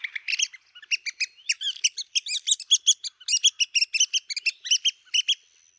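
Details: A red-cockaded woodpecker in longleaf pine forest of the southeastern United States gives a rapid, raspy chatter of short nasal notes, about five per second, rising and falling in pitch, with no other sounds.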